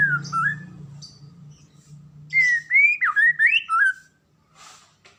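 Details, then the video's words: White-rumped shama, an Indonesian cage songbird, giving a short whistle, a pause over low hum, then a fast series of loud looping, rising and falling whistled notes before falling quiet. "KICAUAN MURAI BATU INI"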